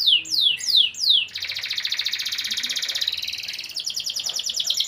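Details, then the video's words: Canary singing: three descending whistled sweeps, then a long rapid trill of buzzy repeated notes around high pitch, shifting to a faster rattling trill toward the end. "Ekspresi burung kenari berkicau"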